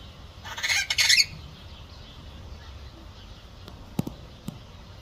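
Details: Captive (aviculture) long-tailed glossy starling (Lamprotornis caudatus) gives two harsh, grating squawks in quick succession, followed by a few sharp knocks or clicks.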